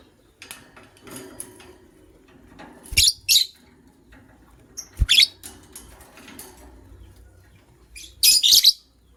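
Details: Morning chirping of a white lovebird from a pet matching couple: loud, harsh, high squawking bursts that arrive in pairs about every two to three seconds, with quieter faint chirps between them.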